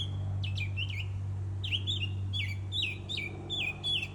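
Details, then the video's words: Bird singing: short repeated chirps that drop sharply in pitch, given in clusters of two or three, over a steady low mechanical hum. "Bird singing"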